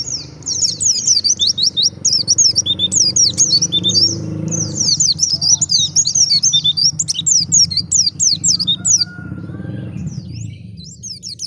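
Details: Wild white-eye song meant to make other white-eyes answer: long, rapid stretches of very high chirping and twittering with brief gaps, over a noticeable low hum in the first half.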